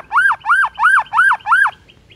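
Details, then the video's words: Morning song of a White-rumped shama provoking rivals: five loud, arched whistles, each rising then falling, repeated evenly about every third of a second, with a soft hum in the background. "HITUNGAN DETIK DI PAGI HARI BIKIN MURAI LAWAN AUTO NAIK EMOSI SEKETIKA"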